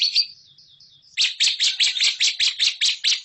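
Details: Lovebird training song for competition birds: a few soft, high whistled notes, then a burst of loud, harsh chattering bursts repeated about three times a second.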